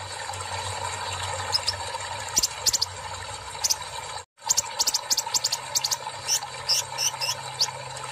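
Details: Kolibri ninja, brown-throated sunbird, in full voice following water therapy, "tarik siss" song; clusters of piercing high ticks and hissy notes, a brief silent break midway, constant low hum behind.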